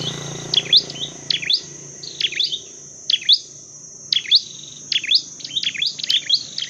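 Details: Repeated loud chirps from a Dark-necked tailorbird used in training and trapping: eight or so crisp, high two-part notes in short bursts, with brief pauses between groups and a faint low hum beneath.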